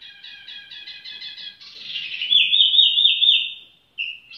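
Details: A tiểu mi bird sings a fast buzzy stutter of stacked notes, then a loud series of slurred, descending whistles, a pause, and a brief closing whistle.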